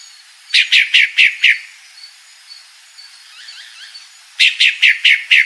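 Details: Calling female pale-breasted thrush gives two rapid runs of five clipped, downward-slurred notes, separated by a pause of nearly three seconds with faint background chirps.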